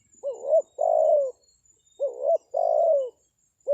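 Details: Lure call of a spotted dove, intended to draw answering wild doves: paired coos, a short rising note and a drawn-out soft falling coo, repeated twice with the next phrase starting, in quiet surroundings.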